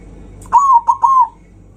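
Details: Zebra dove giving a loud song meant to rile up rival birds: one phrase of three mellow, slightly wavering cooing notes, the first long, a short clipped middle note, then a drawn-out final coo, over quiet low background hum.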